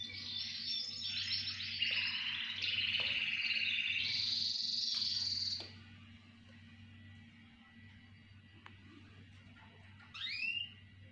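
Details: Chorus of canaries: about six seconds of dense high trills and buzzy rolls that end abruptly, then near quiet with faint clicks and one short rising chirp near the end.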